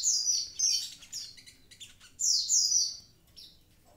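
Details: High slurred whistles falling in pitch, interspersed with softer scratchy notes, poured out by an actively singing Javan pied starling.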